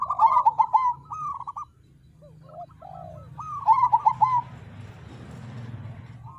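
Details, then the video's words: Crossbred zebra dove cooing as a lure to make birds sing: two stuttering coo phrases with a few isolated drawn-out coos between, then fading into hissing background noise and low hum. "Suara Perkutut Krosing Untuk Pancingan Agar Mau Bunyi"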